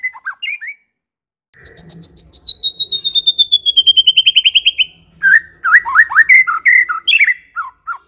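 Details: Medan-type white-rumped shama in clear song used to prompt other shamas: a few short notes, a pause, then about twenty fast high notes that slowly drop in pitch, and finally a jumble of varied slurred whistles.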